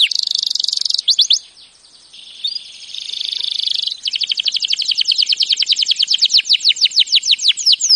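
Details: Canary, serinus canaria, delivering training song: buzzy rolling trills, a short gap, a softer steady trill, then a long accelerating series of sharp chirping notes.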